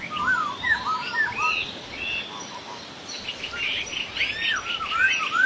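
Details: Laughingthrush calling in the wild: a quick series of short low whistled notes, then mixed slurred whistles and harsh chatter, lively and irregular, with steady outdoor background noise.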